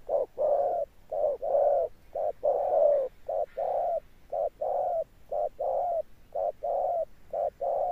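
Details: A decoy spotted dove cooing in the thunder-tone style with stamping notes. It gives a steady run of low, mellow coos, mixing clipped notes with longer drawn ones, roughly one each second.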